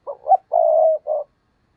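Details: Phrase from a spotted dove used as a decoy to draw in wild birds: brief low coos, then a sustained mellow note and a closing shorter coo, crisp and near, with no other sounds.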